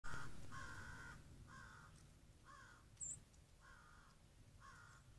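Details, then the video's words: Crows calling on a snowy day near a deck trail cam with birdseed: six harsh, banded caws spaced about one second apart, over steady low rumbling background noise, with one brief high chirp midway. "Listen to the crows on this snowy day."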